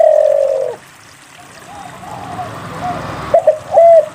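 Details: Spotted dove singing as a lure for quiet doves: one long steady coo, a stretch of soft background hiss, then short clipped notes and another held coo.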